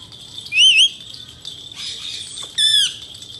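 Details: Male Indian ringneck parakeet producing one wavy up-and-down whistle, then a brief scratchy rustle and a flat, harmonic-rich squawk, over a constant high background tone.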